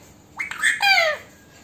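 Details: Female Alexandrine parakeet kept as a pet Indian parrot, said to talk in Hindi with phrases like "Mitthu beta"; a short burst of harmonic, squawky syllables with falling slurred tones, lasting under a second, against a quiet room.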